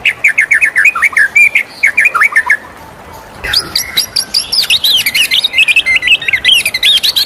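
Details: White-rumped shama singing in the morning, with warbled whistled phrases, a short pause, then an energetic burst of high twittering and trilled notes.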